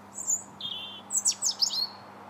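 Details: Robin in January song at Linear Park, Bath, 21 January 2017: high, thin whistled notes, one held at a lower pitch, then quick steeply falling and rising squeaky slurs. A faint constant low hum lies beneath.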